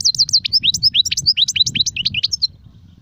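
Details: Goldfinch, songs of the Sarfati, Gzrati and Sersir styles: about two and a half seconds of quick, high, varied chirps and short slurred notes, then quiet low rumble.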